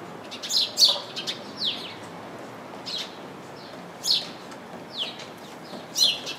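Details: House sparrow chirping in a bush full of house sparrows: short, bright chirps in loose bursts, some sharp descending notes, repeated roughly every second against a quiet background hiss.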